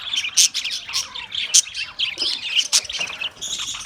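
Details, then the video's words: Australian parrots with sharp, piercing chirps standing out at irregular intervals against a bed of softer twittering and squawky chatter from several birds. "Beautiful Australian parrot video Bird Chirping sounds"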